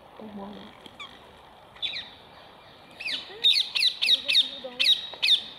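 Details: A fast string of piercing, grating shrieks, about seven in a row, comes from rose-ringed parakeets eating apples set on wire mesh, after some quieter calls and a low murmur.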